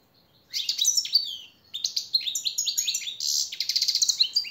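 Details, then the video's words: Master training song of a captive European goldfinch: after brief silence, continuous high, rapid twittering with tinkling notes and a loud buzzy rattle near the end. "jilguero el reclamo maestro y motivador"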